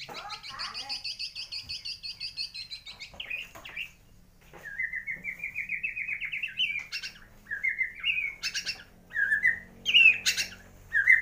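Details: White-rumped shama of the Borneo 'gembung' form from Kalimantan, in song laced with imitations of swiftlet, sparrow and lovebird: a long fast buzzy trill, then a rapid rattling run, then scattered sharp whistled and chattering notes.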